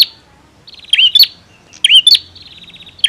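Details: Bar-winged prinia, male, singing actively. A loud sequence of rapid, ringing, trilled notes is broken by sharp high accents, with two full phrases close together and the start of another.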